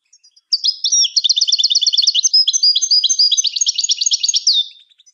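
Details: European goldfinch song used to train other birds; a four-second stream of rapid, high, tinkling trills and twittering notes, with a few faint chips before and after.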